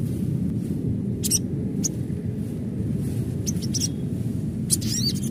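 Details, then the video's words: Adult sunbird (sogon) gives an original natural call used as a lure for sunbirds: thin, high chirps in short bursts, a few sharp notes every second or so, over a steady low rumble of background noise. "Panggilan SOGON Dewasa Asli"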